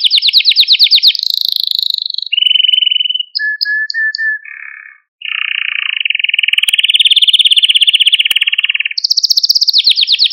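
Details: Canary singing for training young birds and rousing them: a rapid high trill, then a sequence of lower buzzy, rattling tours and soft short whistles, ending in another fast bright trill; no other sounds.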